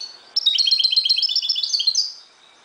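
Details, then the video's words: At daybreak, a Moroccan goldfinch delivers a sustained, rapid twitter of bright, high chirps for about two seconds, then ends on a drawn-out high note. "JILGUERO **تغريد حسون مغربي ** CHANT CHARDONNERET MAROCAIN"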